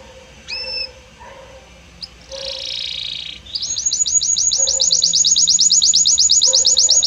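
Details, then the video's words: Belgian canary song opening with a single upslurred whistle, then a buzzy rasping stretch, then a long fast regular series of high rising chirps. "Magnífico Como canta este Canário Belga!"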